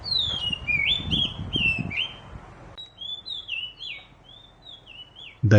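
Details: Oriental Magpie Robin singing sweet, clear whistled phrases, each sliding down then lifting, repeated about every half second; a man talks over the first half.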